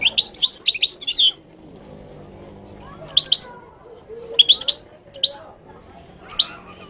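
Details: Moroccan goldfinch singing: an opening one-second burst of high twittering, followed by several short clusters of sharp, tinkling chirps spaced about a second apart, soft background murmur.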